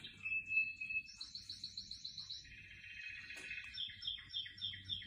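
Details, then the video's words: Canary singing among houseplants: a faint varied warble with a steady whistle, then a rolling series of repeated notes, a buzzy trill and quick pulsed phrases, with low background noise. "زقزقة عصافير الكاناري"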